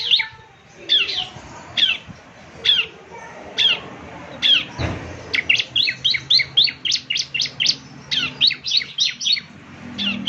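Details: Bar-winged Prinia, called ciblek, singing in semi-gacor style for morning playback to coax other birds into replying; spaced sharp chirps open, then a quickening train of high, clipped notes follows a brief thump.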